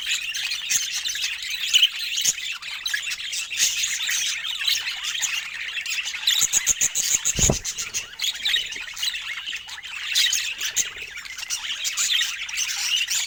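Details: Multiple pet budgerigars keep up a steady, high-pitched chirping and warbling chatter, dense and overlapping, with a burst of rapid clicks and a brief thump midway.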